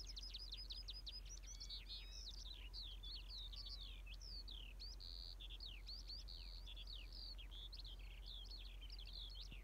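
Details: Continuous skylark song of rapid, high chirps, slurred whistles and short trills, tumbling over one another without pause for the whole stretch, with a low steady hiss beneath.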